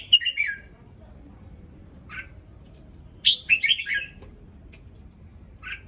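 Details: Morning song of a red-whiskered bulbul fresh from its moult, bright warbling phrases separated by gaps and single sharp chirps, steady low hum behind.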